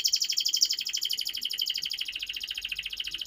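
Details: Continuous canary song used to coax young canaries into singing: a fast, high, even rolling trill sustained throughout, softly recorded with light background hiss.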